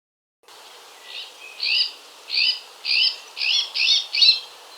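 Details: Iberian magpie in Portugal giving a series of six harsh, rasping upslurred calls, each about half a second long, repeated roughly every 0.6 seconds over quiet background hiss.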